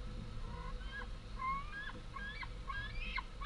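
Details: Food-begging screams of two large fledged White-tailed eagle young at the home nest, 11 August 2014, as the females bring prey. Softer, rising whistles build into denser squealing notes toward the end, with a low rumble beneath.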